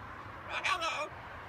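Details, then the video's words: Macaw parrot talking: one short spoken-sounding phrase of about half a second, with rich, voice-like harmonics, set against a quiet low background hum. "Macaw talking"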